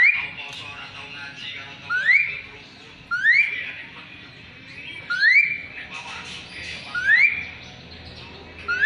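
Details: Lively Asian pied starling song used to coach magpie-robins. Loud upward-slurred whistles come roughly every one to two seconds, with softer chattering notes between them and faint indoor background hum.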